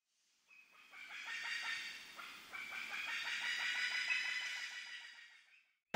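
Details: Common green magpie in its natural habitat giving a rapid series of harsh, rattling notes, about three per second, rich in bright upper overtones. The series swells and holds for several seconds before fading.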